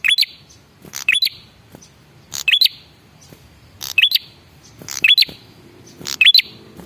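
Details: A male prinia's lure call for drawing replies: six phrases, each a dry buzzing rattle with sharp rising whistled notes at the end, separated by pauses of roughly one to one and a half seconds.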